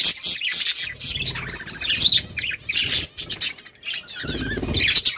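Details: Flock of budgerigars chirping as they eat; dense overlapping high chatter and warbles with rustling and pecking noises underneath.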